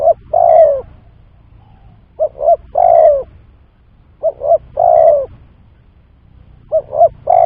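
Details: Spotted dove call used as a lure for trapping: a phrase of two short coos followed by one longer, drawn-out coo, repeated about every two seconds over a quiet background.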